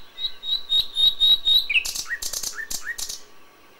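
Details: Dawn song of a common nightingale in May, original recording: a run of clear repeated whistled notes on one pitch, then a series of loud, rasping, broadband strokes with lower slurred notes between them.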